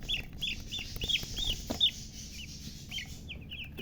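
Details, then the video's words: Just-born chicken chicks chirping loudly: clear high peeps, each a brief rising-then-falling whistle, repeated roughly three times a second, with faint low background noise. "Tot Murgi chicks chirping sounds Just Born Baby Gallina FRACAS Chicks Piar Loudly Sound"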